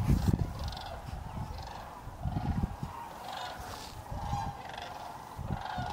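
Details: Sandhill Cranes on the ground at the Hiwassee Wildlife Refuge near Dayton, Tennessee, where they overwinter, December 31, 2023: overlapping rolling, trumpet-like calls from a distant flock, with steady low wind rumble beneath.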